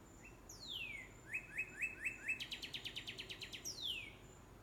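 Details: Red cardinal singing in a rainbow eucalyptus: a long whistled downslur, five short clear slurred notes, then a faster run of about ten rising chip notes, ending with another sweeping downward whistle; quiet background.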